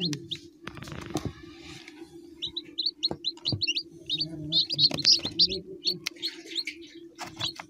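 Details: Domestic chicken chicks peeping steadily: bright, high, rising-then-dropping notes repeated several times a second, sometimes in clusters, with occasional clicks and a low background hum.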